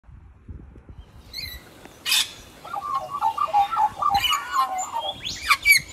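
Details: An Australian magpie in the sun gives mellow, fluting warbles in a quick run of mid-pitched notes, then rising higher whistles; a short harsh burst and faint low rumble come first.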